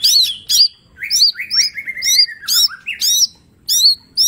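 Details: Mini green leafbird in full song as a training master: loud looping high whistles alternate with lower sliding phrases and harsh bursts, roughly one phrase each second, with a faint background hum.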